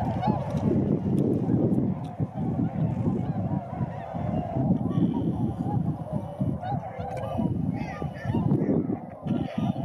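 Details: Over Sakata, Japan, on 3 November 2018, flying tundra swans call together in a steady wash of honking notes, partly masked by strong, pulsing wind rumble.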